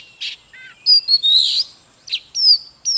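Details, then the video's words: Oriental magpie-robin in full song, meant to stimulate other magpie-robins to sing hard. It has clear, sharp whistles, a short downward trill and a drawn-out slurred note, set apart by brief pauses. "Chòe than HÓT MÚA || KÍCH LỬA || Kích chòe than hót căng"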